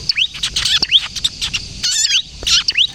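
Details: Bar-winged prinia, locally ciblek kristal, in full lively song used to lure and train other birds: dense rapid high chips and sharp rising upslurred whistles, with buzzy trills and short pauses between bursts.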